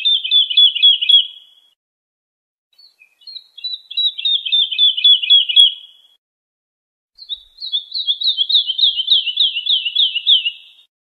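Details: Wolwal bird song played for tutoring young European goldfinches: three high trilled phrases of quick, regularly repeated notes, the last one clearer and slowly descending, with short silences between.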